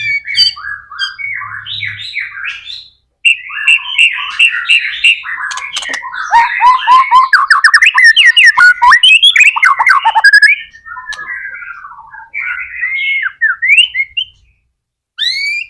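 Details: Captive white-rumped shama singing loudly and continuously, a lure track to spur other shamas: long dense run of varied chattering notes, trills and whistles, mimicry-like phrases, a short pause near the start and end.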